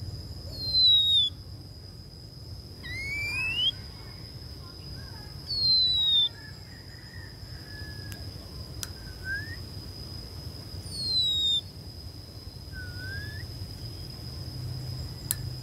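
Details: Decoy female Oriental magpie-robin calling to draw in wild males: drawn-out clear whistles, some sliding down, some sweeping up, spaced several seconds apart, with quieter short notes and a constant high-pitched hum beneath.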